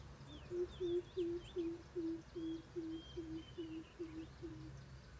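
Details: Coucal recorded while trapping with a decoy bird early in the 2024 season in Tuyên Quang, Vietnam; a wild bird from across a stream was approaching. About twelve deep, hollow, evenly spaced falling hoots, roughly four per second, with faint small-bird chirps.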